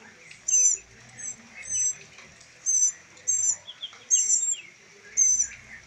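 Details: Rescued baby northern mockingbirds, three being raised for release, produce about eight shrill high squeaks, spaced irregularly, over faint background rustling and low noise.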